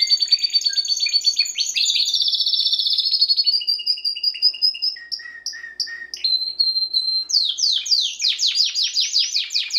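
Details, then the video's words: Timbrado canary singing, meant for training canaries: quick high notes give way to a long buzzy rolling tour, then drawn-out whistled notes, and finally a burst of rapid descending chips. "CANARY SINGING BEST VIDEO TO TRAINING CANARIES"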